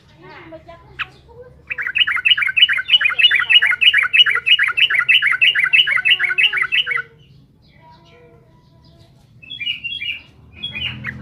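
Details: A trucukan, the yellow-vented bulbul, gives a gacor song meant to rile up rival birds: a five-second burst of fast, evenly repeated, bubbly warbled notes, then silence and a few short chirpy phrases at the end.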